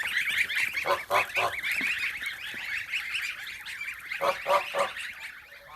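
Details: Domestic geese in a separate pen, goslings taken from the nest with a gander: nasal honks in clustered bursts, several quick honks in a row, then a pause and another run, over softer flock chatter.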